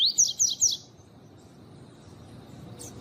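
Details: A double-collared seedeater (Sporophila caerulescens) gives three quick, high, rising 'tui' whistles in under a second, then falls silent apart from a faint high note near the end.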